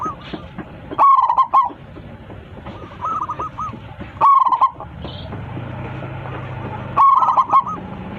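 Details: Local zebra dove singing loudly to call its flock: three strong, rolling cooed phrases about three seconds apart, each a fast burst of notes, with softer repeated hooked coos between them and a low hum midway.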